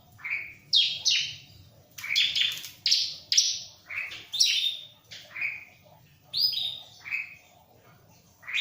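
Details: A ciblek (bar-winged prinia) sings in separate sharp chirps and short down-slurred whistles spaced about half a second apart, some notes doubled, over faint low hum.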